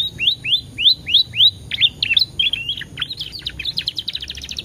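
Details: Canary lure song for prompting other canaries: a string of bright upslurred whistles about three a second, then jumbled chirps grading into a fast high twittering trill.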